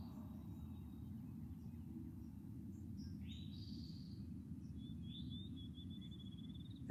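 An Eastern Towhee gives its 'drink-your-tea' song: two clear high notes, then a long buzzy trill. Low rumbling noise runs throughout, with a thin whistle from another bird.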